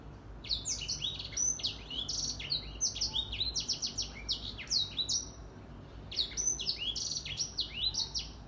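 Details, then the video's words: Morning song of a grey singing finch, a lively run of high, quick sliding whistles and chirps, broken by a brief pause before resuming. "Grey Singing Finch / Edel Sanger Bird Singing / Gacor di pagi hari"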